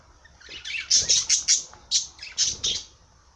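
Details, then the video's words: Parrot sings a quick, irregular run of high, scratchy chirps and squeaks, about eight bursts in three seconds, with low background rumble. "Popagai sing -song madár ének"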